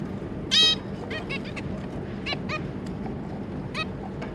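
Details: Zebra finch family of two adults and three juvenile young, 25 July 2022: one loud nasal honk followed by softer, scattered chirps and thin honks, with continuous low background hum.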